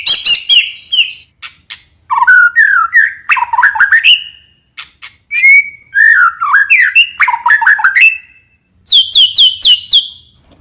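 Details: White-rumped shama lure song of loud, varied phrases: fluty slurred whistles, sharp chips and rapid jumbled notes in bursts of one to two seconds, ending with a series of bright repeated whistles.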